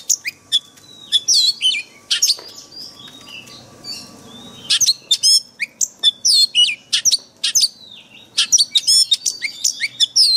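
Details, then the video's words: Forest-voice song of a white-rumped shama, played for training caged birds: rapid, varied high whistles, clicks and slurred notes in dense bursts, with a short quieter gap midway, no other clear sounds. "Luyện chòe than hót giọng rừng mỗi ngày"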